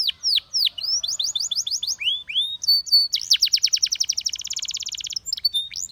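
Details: Song of a Russian singing canary, sung to seduce other canaries: falling whistled slurs and quick repeated notes, then long rapid trills and a fast buzzy roll, all high-pitched and clean.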